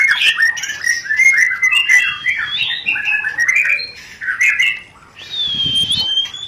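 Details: Rencetan song of a white-rumped shama, played to trigger breeding readiness and mating: a long run of quick, looping whistles and chatter, a brief lull, then one sustained high whistle.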